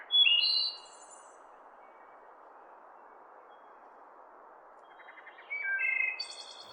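A thrush sings two short phrases of clear, varied whistled notes, one at the start and one near the end, with a steady low hiss between them.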